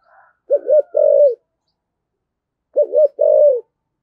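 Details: Spotted dove with a 'thổ sấm' voice, cooing strongly: two identical deep phrases, each a quick two-humped note followed by a sustained mellow coo, separated by about two seconds of silence.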